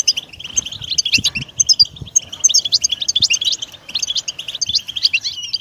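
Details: European goldfinch twittering steadily, a busy mix of sweet chirps, short trills and buzzy notes, brief pauses between phrases and a few soft low clicks below.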